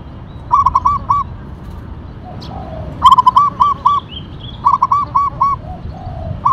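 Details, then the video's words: Local perkutut, the zebra dove, in tumbak cucukan katuranggan style, repeating three similar phrases of four or five ringing coos about two seconds apart; soft whistling and chirping of other birds fill the gaps. "Perkutut Lokal Gacor Katuranggan Tumbak Cucukan Suara Berkarakter"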